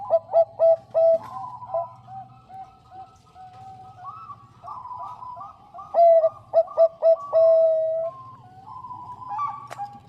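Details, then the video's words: Bangkok-type zebra dove, a female calling the male: a burst of loud, clear short coos at the start and again midway ending in a long held note, with softer, wavering coos from another dove between. "PERKUTUT BANGKOK GACOR SUARA JERNIH MENGUNDANG BUNYI"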